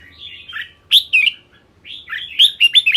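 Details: Red-whiskered bulbul singing two bursts of bright, warbled, whistled phrases, rising and falling notes with sharp, loud upward-sweeping accents, separated by a short pause; quiet background.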